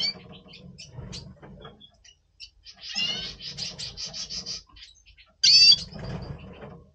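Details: Double pastel red siskin in pre-breeding condition, November 2023, indoors: scattered chips, then a long pulsing buzzy trill, and a single loud sharp call, over low background rumble.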